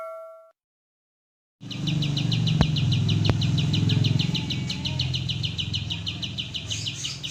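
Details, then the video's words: Oriental white-eye of the tembak style, recorded as a training master for cage birds: after a brief silence, rapid high chirps repeat about three to four times a second over a heavy low engine-like rumble. "MASTERAN kapas tembak gacor panjang dan suara jernih"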